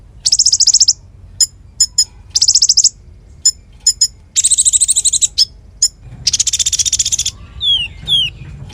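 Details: Konin in lively full song, kept as a tutor bird for magpie-robins and fighter birds: very high buzzy rattling trills of about half a second alternate with sharp single chips, then two descending slurred whistles.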